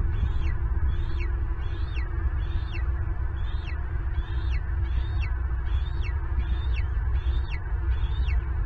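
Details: Bald eagle at its nest in Southwest Florida on a live cam as an intruder takes the turtle brought for the eaglets. Around a dozen high, chittering whistles, each falling steeply, come in a rapid regular series against heavy wind noise.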